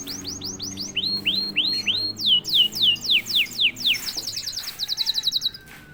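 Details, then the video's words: A canary prompted into song after being silent sings fast repeated descending whistled sweeps, several per second, shifting pitch between phrases, then a rapid high trill. A low hum runs underneath. "KENARI GACOR||060|| Sekali pancing kenari diam langsung bunyi."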